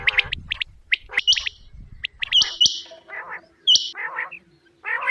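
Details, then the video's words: Quail calling in the morning: sharp, short chirps and clicks, some rough buzzy notes, and a steady pure whistled tone in the background. Several notes overlap at uneven intervals, with quiet low rumbling at the start. "batair ki subha ki awaz | batair ki awaz | quail call"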